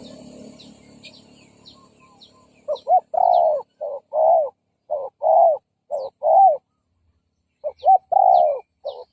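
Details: Decoy spotted dove calling to provoke and lure rival males: an irregular string of short and arched mellow coos, with a gap midway. High chirps of other birds and some low background noise are heard at the start.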